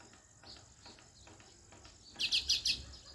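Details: Natural sparrows chirping: after quiet background hiss, three loud, sharp, high chirps follow one another quickly near the end, over a steady high insect-like drone.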